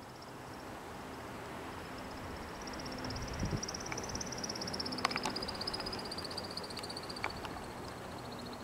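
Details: A male American woodcock performing its aerial mating display flight: a steady, high twittering runs through the clip, broken by several sharp chirping notes near the end, over a low background rumble.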